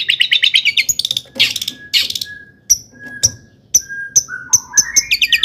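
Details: Long-tailed shrike singing to provoke shrikes: fast stuttered high notes, harsh bursts, clear flat whistles and sharp chips, ending in rising mimicked phrases.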